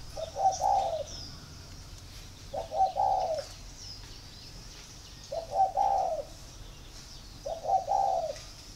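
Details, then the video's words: Spotted dove in Ba Vi district near Hanoi, cooing to show readiness for pairing; four low mellow phrases, each a couple of short notes and a longer rolling coo, spaced two to three seconds apart, with faint high chirps. "Dấu hiệu để ghép chim cu gáy"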